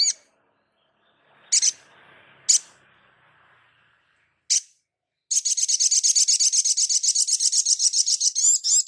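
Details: Energetic crimson sunbird song: a few isolated high chirps, then a long rapid rattling trill of sharp repeated notes lasting over three seconds, ending in twittering.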